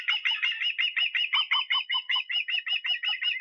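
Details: Continuous rapid series of ringing, whistled notes from an osprey in Estonia, recorded 23 August, delivered about five per second with a slight downward inflection on each note, no gaps throughout.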